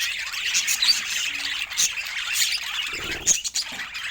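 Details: Budgies sharing sweet moments chatter in high, scratchy chirps and squawks, with a few clear whistled notes and brief lower rustling bursts near the end.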